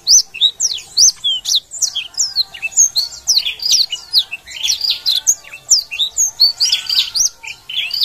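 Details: A vigorously singing black-throated canary delivers a long, breathless run of high, sweet chirps and steep whistled slurs, several notes per second, rising and falling without pause.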